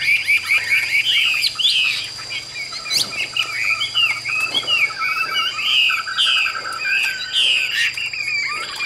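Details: A Chinese hwamei kept caged in Vietnam sings steadily, mixing short warbled whistles with rising and falling slurs and occasional sharp clicks, all over a faint continuous high whine.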